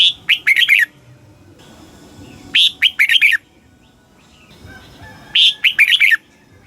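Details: Thai red-whiskered bulbul, southern master-song style meant to excite caged birds: three bouncy phrases of quick, bright whistled notes, spaced about two and a half seconds apart, with a faint hum between them.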